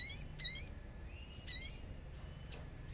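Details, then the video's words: Common iora singing on a lure recording with nature sounds: three bright, down-hooked high chirps about a second apart, then a single short sharp note. "Pancingan sogon agar bunyi | sogon gacor suara alam"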